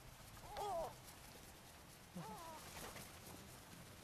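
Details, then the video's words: Gulls fed on the sands at Brean, Somerset, England, in April 2013; two bent, whining calls about one and a half seconds apart, mid-pitched and wavering, over soft beach background noise. "Seagulls Sea and Sand"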